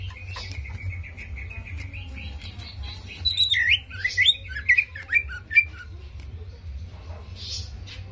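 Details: Cucak ijo song for provoking a greater green leafbird's emotion: a thin steady whistled line breaking into loud jumbled twisting phrases and short squeaky accents, over a continuous low hum.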